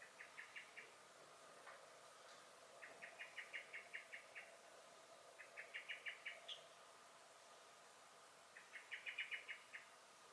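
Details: In a garden on 23 May 2021, a common blackbird (Turdus merula) scolds with repeated bursts of sharp chinking notes, four rattling runs with a few stray higher notes between them.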